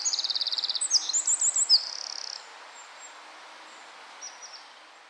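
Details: A Eurasian wren in a Scots pine forest in the hours before dawn sings a loud, very high burst: a rapid rattling trill, sharp varied notes and a buzzy run, fading to a few faint distant notes.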